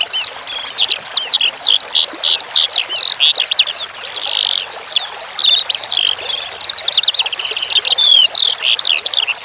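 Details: Eurasian skylark song for training cage birds: a long, fluent torrent of high chirps, slurred whistles and rapid rattling trills that hardly pauses, carried over a constant background of running water.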